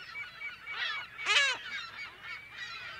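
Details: In a California gull colony, one nearby bird lets out a strong, strained, arching cry mid-clip over a continuous background of overlapping nasal calls from the rest of the colony; mono, close to medium range.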